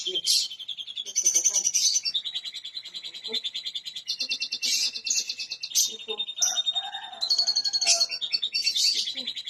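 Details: Canary song meant to prompt silent canaries to sing: dense, high, varied phrases of rapid buzzy rolls, sustained whistles and chattering trills follow one another without pause.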